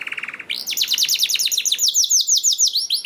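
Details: Canary singing to prompt others to join: a short flat rattle, then a steady stream of rapid repeated sweeping whistles, about three per second, bright and rolling.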